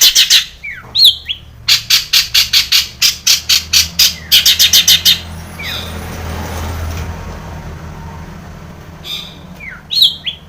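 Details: Long-tailed shrike lure song with a full mimicry fill: a fast run of rasping notes, several per second, breaking off into hiss and a low rumble before a few short harsh notes return.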